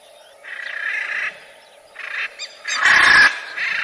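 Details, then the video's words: Harsh, raspy macaw calls: two moderate grating notes, then a single loud broadband screech near the end, followed by another softer rasp. "CANTO DA ARARA"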